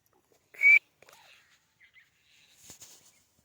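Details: White francolin giving one loud, shrill whistled note that rises slightly, followed by a few faint softer chirps and rustles in otherwise quiet surroundings.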